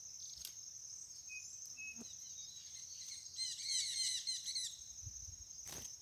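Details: White mutation chestnut-bellied seed finch singing: a short burst of quick, rippling warbled notes near the end, over a constant high, thin whine and a few faint scattered chirps.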